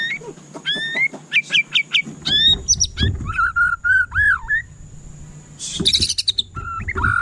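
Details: White-rumped shama song: a series of clear repeated whistled notes, then wavering rich phrases and a harsh noisy burst, ending with sustained whistles, over low background rumble.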